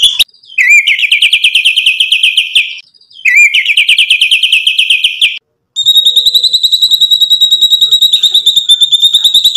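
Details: White-rumped shama in full song with mimicked filler phrases, used as a lure to provoke other shamas into answering: long fast runs of sharp repeated high notes in two bursts, then a steadier rapid ringing trill.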